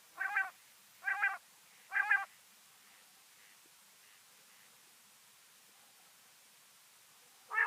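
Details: Female common quail voice used as a hunting lure: three loud, nasal, harmonic notes spaced about a second apart, a long pause, then a fourth note at the end, with faint echoes between.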